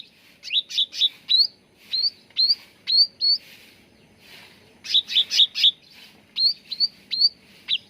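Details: Training lure of cucak ranting bulbul: a burst of fast buzzy chatter, then a series of upward-flicking whistles, a quiet pause, and the same chatter-and-whistle pattern repeated.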